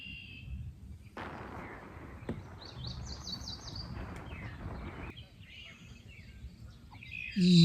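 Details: A Blue-winged Warbler at Necedah National Wildlife Refuge, Wisconsin, on a rainy June 2024 day, gives a thin, high, two-part buzz, the second part rougher, over wind rumble and hiss, with a loud handling thump at the end.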